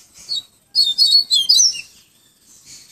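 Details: Song of a yellow-bellied seedeater in 'tui tui viviti flautado' style from Pero Vaz, Salvador, Bahia: one brief note, a pause, then a quick burst of high, twisting whistled notes ending in a lower slur.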